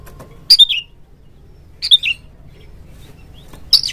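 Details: Short whistled phrases from an Oriental magpie-robin, used as a lure to provoke a rival kept bird: three quick, sliding two-to-three-note bursts spaced over a few seconds.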